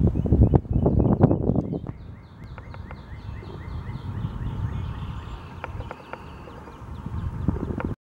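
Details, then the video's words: Boat-tailed grackle at Joseph Tribble Park on March 29, 2022, giving a quick run of harsh, rising notes that rattle together into a chattering series, over low wind rumble and handling thumps. "boat tailed grackle"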